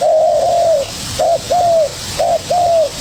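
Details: A young spotted dove sparring with a decoy. One long, low, rolling coo opens, then two pairs of short-then-long coos follow, loud and close.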